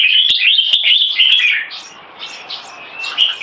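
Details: A caged red-whiskered bulbul from a singing competition pairing, one bird in molt, gives a fast run of sweet warbled notes that fades after about a second and a half into softer distant chirps.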